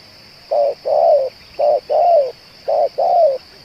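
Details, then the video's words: Spotted dove, a bird said to keep calling and cooing for two hours and suited for use as a lure: three paired low coos, each a short note followed by a longer, slightly falling one, over a steady high whine. "BL ini tahan bunyi dan menguku 2 jam"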